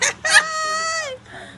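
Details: Yellow-naped amazon parrot at play with its owner, vocalizing: a short harsh burst, then a sustained, rich, voice-like tone lasting about a second that dips slightly at its end, with faint room noise after.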